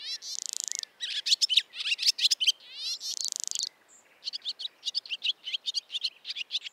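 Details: Barn swallow song of lively twittering with two dry, buzzy rattles and strings of sharp chirps, delivered fast and continuous.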